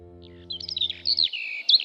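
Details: Eurasian skylark of the British countryside, which sings continuously while hovering high over fields from early spring: a rapid, high, tumbling warble of chirps and trills, with a low musical tone humming beneath the first half.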